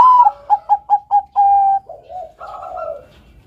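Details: Melodious song of a Bangkok-type zebra dove, recorded as a master for training: a clear opening coo, four quick evenly spaced short notes and a long steady note, trailing into softer low cooing.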